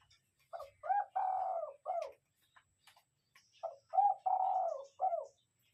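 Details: Spotted dove lure bird giving gáy gù cooing: two deep, mellow phrases, each a short note, a rising coo, a long buzzy drawn-out coo and a falling final coo, separated by a pause with faint clicks.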